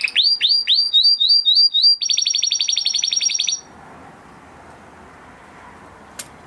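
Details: Huppe Spanish Timbrado canary from 2020 breeding with training song: looping falling whistles, then a rapid metallic trill that stops abruptly, leaving quiet room noise and one faint click.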